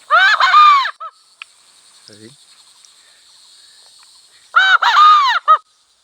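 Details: Wild cock in a village: two loud, harsh, multi-part crows a few seconds apart, each ending in short clipped notes, with faint low voices and a high hum between.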